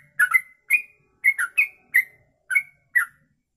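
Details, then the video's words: Sooty-headed bulbul giving a long 'kongslet ropelan' song used as master audio for training birds: short bright chirped notes, some slurred or doubled, in irregular bursts with clear gaps. "Trucuk Kongslet Ropelan Panjang, bisa buat masteran"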